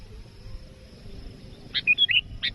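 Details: Sooty-headed bulbul calling out to a rival, used for trapping; after a long quiet stretch, a buzzy note leads into a quick run of liquid whistled notes, ending with another buzz.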